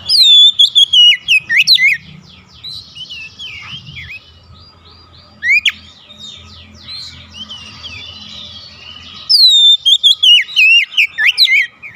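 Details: Oriental magpie-robin calling to others that answer: a burst of loud whistled notes at the start, quieter scratchy warbling in the middle, a brief strong note near six seconds, and another loud whistled run from nine seconds.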